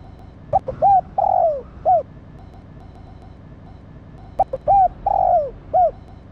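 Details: Female spotted dove calling to stimulate the male: two phrases of soft, hollow coos, each a quick run of short notes and one longer falling coo, spaced about four seconds apart over a low murmur of background noise.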